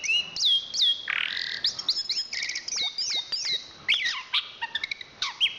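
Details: National champion Chestnut-capped thrush singing a lively mix of upslurred whistles, a brief harsh rasp, and rapid chips and trills at high pitch.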